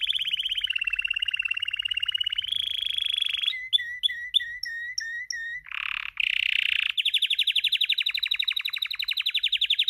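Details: Male Spanish timbrado canary in breeding condition sings a varied sequence: a long even rolling trill, separate upward-flicking notes repeated about twice a second, a harsh rasping burst, then a rapid ringing trill.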